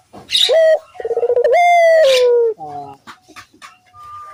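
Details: Barbary dove calling actively, used as a lure to set other doves calling: a short opening note, a fast stuttering run of pulses, then a long smooth coo sliding gently downward, followed by faint chirps of other birds.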